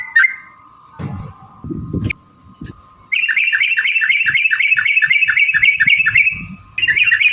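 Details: Sooty-headed bulbul, used as a lure to get other birds singing: a brief whistled note, low rumbling handling noise, then a fast rattling run of chirpy notes lasting several seconds, ending with more whistled phrases.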